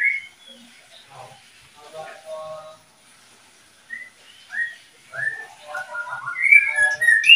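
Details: Oriental magpie-robin from a breeding pair: low murmuring and soft scratchy sounds at first, then separate clear whistled notes, building into louder, rapid, high whistled phrases near the end.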